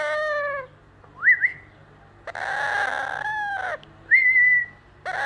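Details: A baby yellow rose-ringed (ringneck) parakeet saying his first words, mimicking a cat with drawn-out, harmonic, meow-like moans that slide downward, broken by short rising whistles.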